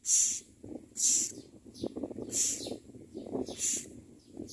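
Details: Common myna parents bringing food to chicks at the nest: four strong hissy, breathy bursts, roughly one per second, with a low rumbling murmur throughout.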